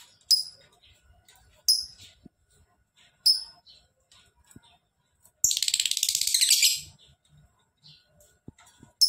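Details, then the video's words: Lovebird in full ngekek song: short piercing chirps spaced over a couple of seconds lead into a fast, harsh, rattling high trill of about one and a half seconds, with faint clicks around it. "Lovebird Gacor!!! Ngekek panjang"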